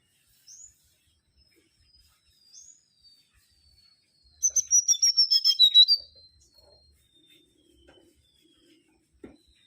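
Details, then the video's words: Mangrove whistler: after faint, scattered high notes, a loud burst of about ten rapid whistled notes gently descending in pitch, then quiet again. "Kancilan Bakau Gacor"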